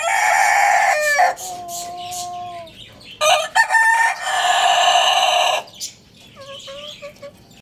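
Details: Several Lohmann Brown roosters crowing in the morning, their loud harmonic crows overlapping and following one another in quick succession, with short broken notes between them and softer trailing calls at the end.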